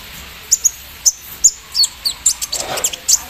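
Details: Javan sunbird set out in the morning dew, singing with mimicked embroidery-machine notes: thin, very high, sharp chirps and short whistled ticks at irregular half-second spacing, over faint background hiss.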